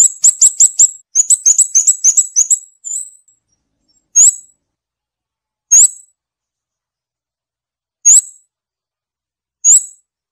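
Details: Scarlet-backed flowerpecker gives a fast string of shrill, thin notes in two rapid runs, then single sharp upswept chips every one to two seconds against silence.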